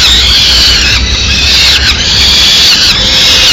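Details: Peregrine falcon chicks calling hard for food in Madrid as the female brings a small bird mid-morning; steady harsh high wailing, with drawn, falling screams roughly once a second.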